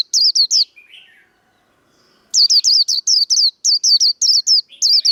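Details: Japanese white-eye with the 'líu đấu' fighting song for cage-bird training. A few sharp high chirps and a soft twitter come first, then after a short gap a long, fast series of shrill repeated notes.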